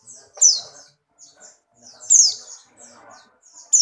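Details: Buxtoni white-eye kept in a cage, in breeding condition and leaping about, utters high, sharp, descending chirps singly or in pairs, with softer high notes between them and faint low background noise.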